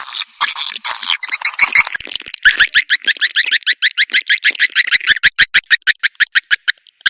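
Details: Swiftlet call sound for calling swiftlets, piezo version: harsh chirps at first, then a rapid even run of clicking, ticking pulses, about three per second, slowing toward the end.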